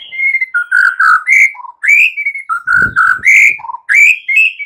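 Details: White-rumped shama morning song aimed at making silent birds sing: a flowing, varied series of clear whistled notes rising and falling, with some buzzy high overtones.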